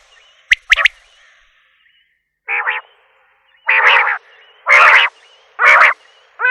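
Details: Common quail calling: sharp paired clicks, then a run of harsh, buzzy, roughly half-second bursts repeated about once a second.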